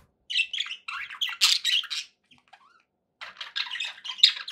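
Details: Budgerigars chirping happily: a run of rapid scratchy chirps and squawks, a pause of about a second, then another burst of quick buzzy notes.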